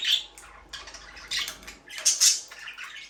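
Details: Pet budgerigars, described as a breeding pair in an aviary, give scratchy, buzzy chirps and squawks in bursts with short pauses, high-pitched and irregular, in a small indoor space.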